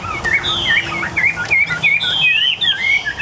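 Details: Several of eight newly acquired tame captive Chinese hwamei sing together: loud, rich whistled phrases that rise and fall quickly, overlapping in a varied, continuous stream.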